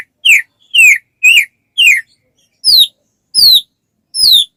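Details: White-rumped shama sound used to trigger other shamas into song: seven separate, clear, downslurred whistles at an even pace, the later ones higher and sharper.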